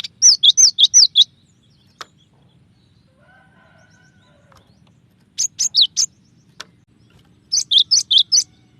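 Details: Cinereous tit giving varied song, series of high sharp two-note phrases dropping in pitch, in three bursts separated by quiet spells with a faint low tone between.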